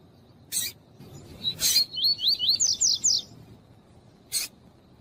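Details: Double-collared seedeater recording in the tuí-tuí style, with a female calling to stimulate a reluctant male: a series of about eight quick, high, slurred whistled notes, preceded and followed by short harsh broadband chips, over a steady faint hum.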